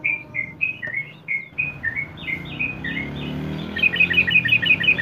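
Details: Yellow-vented bulbul ngeropel: a chain of clear, downslurred whistled notes at a steady pace, slowing slightly, then ending in a quick, tight burst of high, rhythmic trilled notes, from a lure recording for birds in training.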